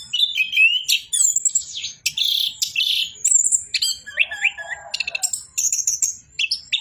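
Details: Orange-headed thrush pouring out 'bocor' song: slurred whistles, buzzy chatter and high twitters, with a lower rough warble near the end.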